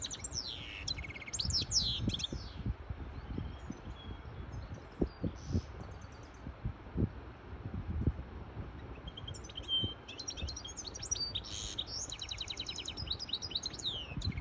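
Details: Hybrid European goldfinch song for tutoring chicks and exciting a female to breed; twittering and slurred high notes at the opening, a long quieter middle with low thumps, then a renewed burst of rapid trilled phrases.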